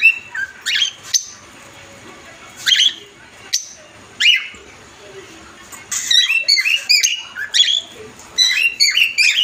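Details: Adult cockatiels calling a partner loudly: sharp, harmonic chirps and squawks, first spaced every second or so, then in quicker clustered bursts near the end, over a steady background hiss.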